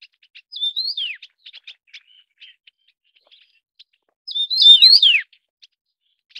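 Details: Taiwan yuhina feeding its chicks, endemic to Taiwan: a whistled rise-and-fall phrase, several seconds of soft scattered chips, then a second louder, more complex swooping phrase.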